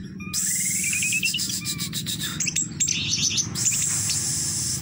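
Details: Orange-headed thrush in a cage, song of the teler doyong type: a rising ladder of short whistled notes, then scratchy rapid chatters and high piercing squeaks, delivered without pause.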